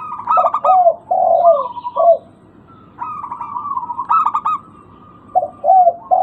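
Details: Local zebra dove used as a lure to get silent birds calling again: stuttering, rapid coos broken into quick pulses alternate with lower, drawn-out coo notes, phrases arriving in bursts with short quiet gaps.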